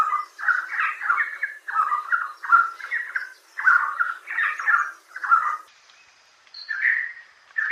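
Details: Red Spurfowl of the rocky scrub forests of the Indian Peninsula; males give a rapidly repeated k-or-quack call, often in mornings and evenings. Harsh, raspy notes come in quick clusters, roughly seven bursts, then one drawn-out note near the end.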